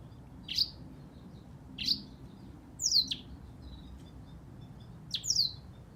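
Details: Black-throated canary singing: four separate high, sharp chirps, each a quick downward-sweeping note, spaced over a second apart, with a soft low hum underneath.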